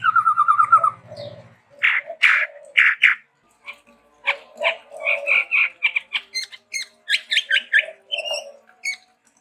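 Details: Chestnut-rumped babbler, endemic to Sumatra, singing busily with variation: an opening trill over a low buzzing hum, then loud harsh bursts and a long string of varied chirps, chips and short trills.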